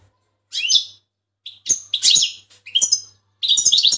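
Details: Big Turkish European goldfinch singing during full training: a run of bright, scratchy twittered phrases with quick slurred notes, five bursts in four seconds, with a soft low hum underneath.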